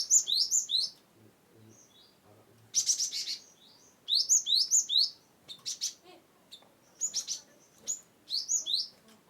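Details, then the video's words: Cinereous tit (Gelatik Batu) from Wonosobo, singing to draw out birds that will not sing: bursts of quick, high, sharp notes, about five per burst, separated by short pauses, with a few isolated chirps between. "GelatikBatu(Cimberet/Glatikwingko) Pas untuk Burung yang tidak mau bunyi"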